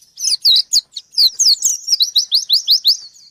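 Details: Energetic white-eye song aimed at a rival: loud, sharp chirps that settle into an evenly spaced series of upslurred high notes.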